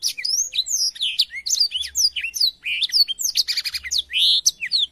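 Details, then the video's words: Black-throated canary singing, recorded to teach canaries: dense, fast twittering of swooping whistles and short trills, with a harsh, buzzy stretch around the third second and a broad rasping note near the close. "suara burung blackthroat untuk masteran kenari"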